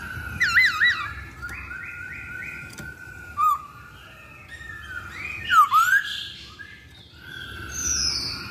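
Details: Lure recording of a masked laughingthrush: a few wavy looping whistles, a series of short stepped notes, then isolated loud dipping whistles separated by quieter gaps with faint high whistling.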